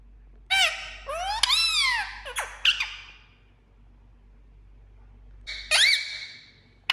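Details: Green pet parakeet indoors: harsh, wavering squawks and screechy rising-falling notes in a burst, a pause, then another strained squawk.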